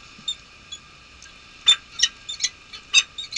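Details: Male peregrine falcon taking over from the female at a snowy nest camera site, Nottingham Trent University, UK, 23 March 2013; soft faint notes, then a run of loud, rasping, clipped calls in quick succession.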